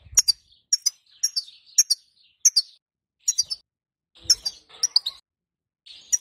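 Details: Female goldfinch calls played to draw song from a male European goldfinch; bright high chirps come in short triple bursts roughly every half second, with a stretch of softer buzzy twitter and a low thump.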